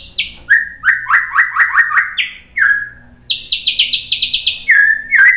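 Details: White-rumped shama in full song for lure training: a loud series of rapidly repeated downslurred whistles, followed by a run of high rapid notes and closing whistled phrases, with clear pauses between phrases.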